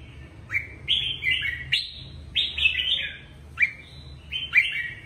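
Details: Caged red-whiskered bulbul singing, a recording meant to rouse other caged birds: five short bright phrases, each opening with a quick upslurred note and rolling into a chortling, whistled warble, with a low hum beneath.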